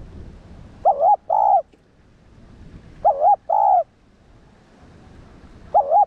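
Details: Spotted dove cooing to excite and train decoy doves. Three phrases sound about every two seconds, each a low, mellow, two-part coo with a wavering first note and a longer second note. The third phrase is cut short. Quiet between phrases.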